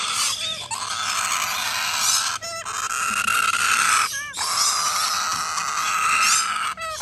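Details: Major Mitchell's cockatoo chick calling: a loud, continuous harsh rasping drone, broken every second or two by brief gasping pauses.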